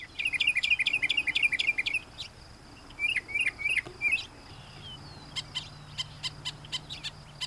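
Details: Northern Mockingbird sings bright, chattering phrases, repeating each several times before switching, then sharp chips; his repeated repertoire advertises to females within earshot.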